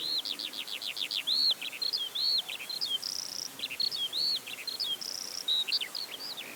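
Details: Eurasian skylark singing continuously overhead, heard but not seen above wheat and barley fields in West Sussex; a fast rattled trill opens into varied chirps, arched whistles and short buzzy notes in an endless flowing stream.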